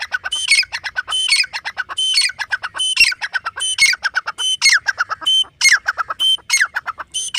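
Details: Grey francolin, known as teetar, in steady loud calling: harsh, rhythmic squawking phrases with bright whistled overtones, repeated about once a second without a break.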